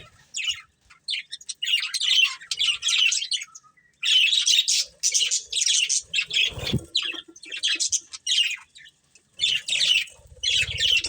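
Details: Budgerigars, a breeding pair, chirp and warble in steady clusters of short tweets for over ten seconds, with a brief low knock midway.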